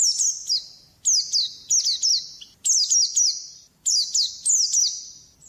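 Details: Repeated white-eye phrases from a recording for training songbirds: bright, high, descending whistles, each ending in a thin buzzy trail, given in bursts about every second with short gaps between.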